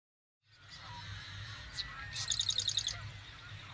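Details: In late May 2022 in central North Dakota, during spring mating, a marsh wren gives a short introductory note, then a rapid, dry, mechanical rattle of high buzzy notes lasting under a second, over a low steady background rumble.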